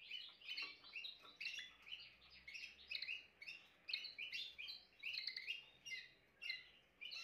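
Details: Timbrado canary song of loud rhythmic chirped phrases in repeated bursts, over a steady low background hiss.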